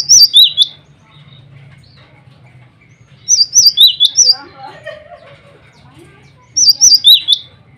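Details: Singing male cinereous tit calling out rivals and females: three evenly spaced phrases of four to five piercing, downward-slurred whistled notes, with a brief low twittering between phrases.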